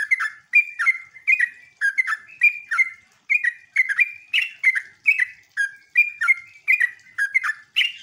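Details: Sooty-headed bulbul song in the ngeropel, ngecruk and nembak style, used as a lure to get other bulbuls answering: a steady run of bubbly, liquid two-part notes, each dipping then rising, repeated roughly twice a second for eight seconds.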